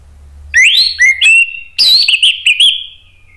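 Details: An orange-headed thrush, emotional after hearing a lure recording, sings loud ngeplong whistles: upslurred clear notes, then a long rich phrase fading through several wavering, gradually dropping tones.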